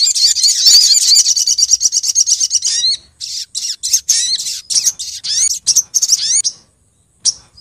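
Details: Female Brown-throated Sunbird calling the male, used as a bird lure: an opening rapid, high chatter lasting about three seconds, followed by a series of sharp, rising chirps that fade out near the end.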